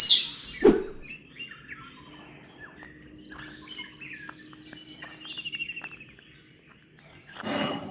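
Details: Whiskered yuhina (Yuhina flavicollis) call in western Arunachal Pradesh, Northeast India: faint, high tinkling notes scattered irregularly over a steady low hum, with a thump near the start and a rush of noise at the end.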